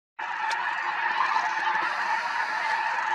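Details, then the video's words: Snow geese flying at Merced National Wildlife Refuge on 21 February 2021, alongside sandhill cranes: a dense, continuous roar of many overlapping honks from a large flock. "Merced National Wildlife Refuge Snow Geese and Sandhill Cranes Flying Performance"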